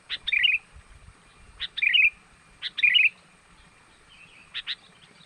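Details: Lure call of a sooty-headed bulbul, used to draw wild birds in: short sharp note pairs each followed by a bubbly, liquid flourish, repeated about once a second.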